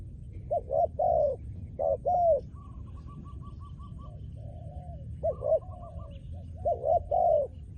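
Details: Trained decoy spotted dove used on the ground for luring. Groups of soft rounded coos in short runs, with faint higher pulsed notes from another bird between them over steady background noise.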